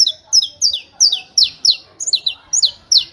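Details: Fast, hammering 'martelo' song of a saffron finch, with high, falling double notes tumbling out about three per second, some overlapping, in a quiet setting.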